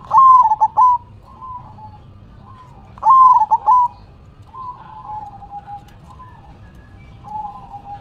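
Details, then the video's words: Zebra dove performing manggung song with head shaking: two loud phrases of quick stuttering coo notes about three seconds apart, each followed by softer, longer falling coos, in a quiet setting with faint low rumble. "Perkutut BERDZIKIR, Manggung nya Geleng -geleng Kepala"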